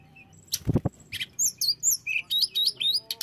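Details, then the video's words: Blue flycatcher singing, a recording meant to stir other flycatchers of any kind to aggression; a low thump opens, then a run of sweet slurred whistles, rising and falling, delivered in quick succession. "setelah dengar ini tledekan jenis apapun akan cepat esmosi"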